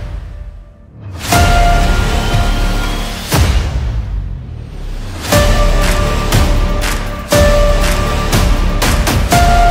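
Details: Loud dramatic music with heavy percussive hits, booming drums and sustained tones plays throughout, with no animal sounds.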